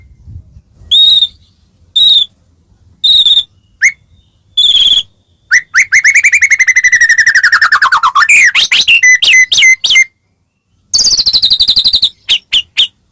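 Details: White-rumped shama from Medan singing loudly as a lure to provoke other shamas: spaced whistled notes near four kilohertz, then a long buzzy rattling series sliding downward, sharp repeated chips and a fast final trill.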